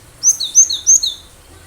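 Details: Wild cinereous tit (gelatik batu), recorded singing vigorously to lure other birds. Three clear two-note phrases, each a high note dropping to a lower one, evenly spaced.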